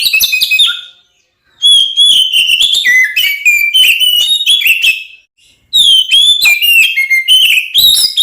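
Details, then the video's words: Oriental magpie-robin singing a combative song that stirs other magpie-robins to fight; three bursts of bright whistled phrases with sliding notes and quick chirps, separated by short silences. "SUARA BURUNG kacer gacor NGEPLONG TARUNG konslet ini paling AMPUH buat PANCINGAN KACER agar EMOSI"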